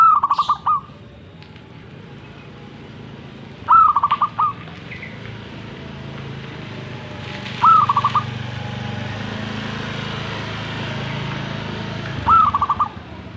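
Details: Zebra dove repeating its song four times, roughly every four seconds, each phrase a rising note followed by a rapid rolling burst of short coos, with low rumbling background noise.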